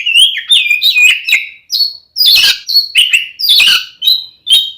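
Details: Oriental magpie-robin fighting song aimed at angering another male: continuous varied whistles sliding up and down, broken by harsh noisy bursts.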